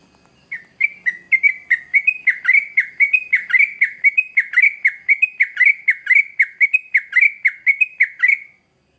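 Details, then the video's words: {'caption': 'Lively sooty-headed bulbul song used as a lure for young birds: a long, steady series of about thirty sharp, slurred chirps, each swooping down and up, delivered rapidly for roughly eight seconds before stopping abruptly.'} "Trucukan Gacor ngamuk Pancingan Terbaik Untuk Burung Paud"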